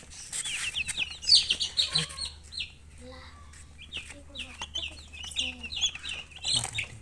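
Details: Chicks chirping close by, high bright peeps in quick clusters, with some lower clucking or voice-like sounds and soft knocks in the background.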